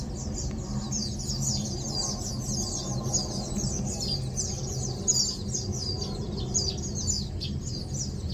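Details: Lowland white-eyes (Zosterops meyeni) resting, feeding and preening, with a Eurasian tree sparrow present, give a steady stream of thin, high twittering notes, several birds overlapping, over a low background rumble.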